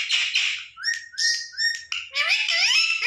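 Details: A pet Indian ringneck parakeet, talking to its own reflection on a bed, chatters in a quick run of harsh squawks, short whistles and rising, speech-like notes, all high and shrill.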